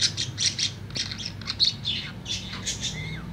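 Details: Tame budgerigar singing in the afternoon with lively chattering chirps and squawky warbled notes in quick succession, ending with a thin whistle that slides downward.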